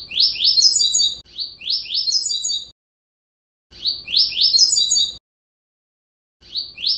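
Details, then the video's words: A Double-collared Seedeater sings a fast song of high, slurred whistled notes in brisk phrases about a second and a half long, repeated after short silent pauses; recorded to help train young birds to learn their song. "CANTO DE COLEIRA"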